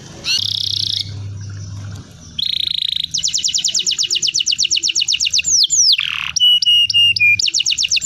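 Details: Singing canary, used to prompt young birds to start singing: short buzzy phrases, then a long rapid trill of high repeated notes, a deep downward swoop, and clipped metallic notes repeated about four per second, with a low hum at times.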